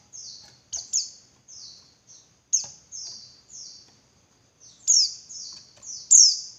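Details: Female Javan white-eye calling to provoke males into singing and excitement; a steady stream of high, thin, falling buzzy notes, roughly four to five per second at peaks, some louder doubled, with faint low background noise.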